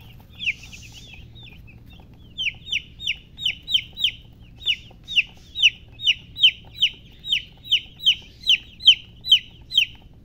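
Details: Baby chickens (chicks) chirping: after a faint start, a steady run of about twenty loud, high, downward-sliding peeps, roughly two each second, against a quiet background.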